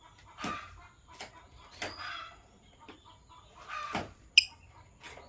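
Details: Morning chirping from Sky Blue Opaline and Green Opaline lovebirds, given as a handful of loud, scratchy, broadband bursts about a second apart, with one sharp high click near the end.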